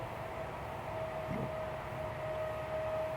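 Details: A steady electronic tone hums over low background rumble, and no animal sounds.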